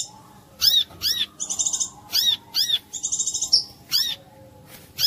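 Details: Brown-throated sunbird song used as a lure to get other birds of its kind singing: sharp, high, arched chirps in quick pairs, alternating with short buzzy trills. Faint background noise.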